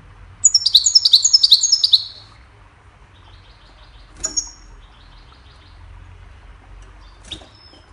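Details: Goldfinch, described as a hybrid, singing to train songbirds: a burst of rapid, high twittering notes for about a second and a half, then quiet gaps with faint chirps and a short sharp call.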